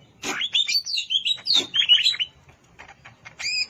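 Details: Greater green leafbird in the wild at Alas Purwo, Banyuwangi, giving a rapid tumbling phrase of varied warbled whistles and chatters, fading, then a clear whistled note at the end.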